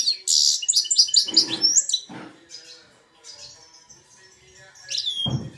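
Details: A 2-year-old goldfinch x red siskin hybrid in Belfast, singing Algerian goldfinch song: a fast, high, tinkling twitter of bright chirps and short trills, with a few dull knocks in between.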